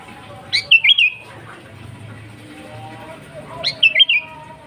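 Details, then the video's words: Energetic sooty-headed bulbul song, genuine and without added phrases, used to call wild bulbuls: two cheerful bubbling phrases of three to four quick whistled notes, about three seconds apart, over a quiet low hum. "Suara Burung KUTILANG GACOR AsliTanpa ISIAN"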